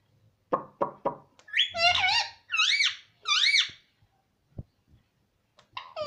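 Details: Parrot said to be talking mummy: three short clicks, then three loud nasal, wavering speech-like syllables, followed by scattered faint taps and a brief call at the end.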